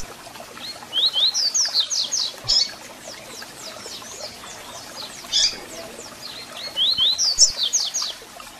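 Double-collared seedeater singing quick runs of high, slurred whistles and sharp chips, delivered in bursts of several notes with brief pauses between them.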